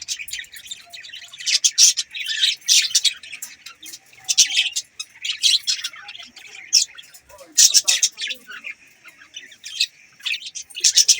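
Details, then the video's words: A flock of budgies chirping in quick bursts of high, scratchy notes separated by short pauses, the chatter rising and falling in waves. "Budgies chirping sound"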